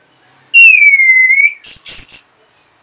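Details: Orange-headed thrush responding to a lure call: one sustained, slightly descending clear whistle, then a brief rough, scratchy buzzing flourish.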